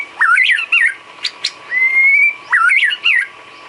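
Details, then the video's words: Song of a white-rumped shama used as filler for training cage birds: loud, warbled whistle phrases with sharp clicks and a long, slightly rising pure whistle. The opening warble returns near the end. "Isian kicau burung murai batu"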